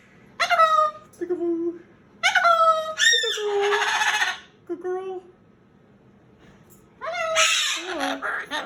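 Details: A male pet Moluccan cockatoo throws a bedtime tantrum, refusing to go to his cage, and screams in loud bursts: short ringing shrieks dropping in pitch alternate with longer harsh, raspy screeches, about five outbursts in nine seconds.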